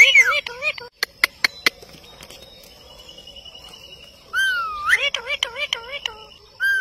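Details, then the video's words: Indian ringneck parakeet addressing a mirror: wavering speech-like syllables, a run of loud clicks, a quiet stretch, then a longer rising and falling jabbering phrase. "INDIAN RINGNECK TALKING PARROT"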